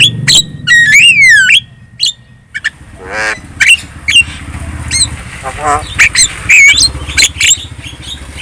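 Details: Very talkative Javan myna lure song meant to make other birds respond: quick rising-falling whistled warbles, a wavering nasal note, then dense harsh clicks and chattering whistles over a steady low hum.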